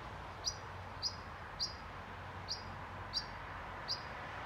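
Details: Pied flycatcher adult at Sundsvall, Sweden, 20 June 2023, warning nestlings in a nest box to keep silent; brief piercing high notes given singly, six calls spaced roughly half a second to a second apart, faint broadband hum beneath.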